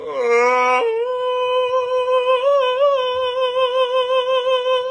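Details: A human voice hums a steady held tone in a small indoor room, starting with a short lower note before settling on one sustained pitch with slight wavering; no animal sounds are heard.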